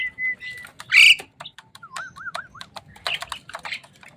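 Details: Caged Javan myna, bathed and sun-dried and then fed crickets to make it tamer and sing more, gives a burst of varied chirps, clicks and sharp squawks, then a run of four wavy rising-and-falling whistles, with a thin steady piping note nearby.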